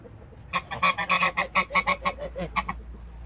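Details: Toulouse geese, a pair in a backyard, letting out a quick burst of harsh honks, around a dozen in two seconds, closely spaced and gradually softening.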